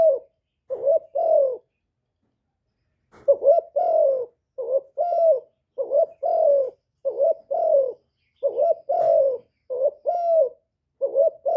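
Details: Spotted dove, used for exciting kept male birds and decoys: after a brief opening phrase and a pause of about a second and a half, a run of mellow paired coos, short then long and falling, repeats steadily.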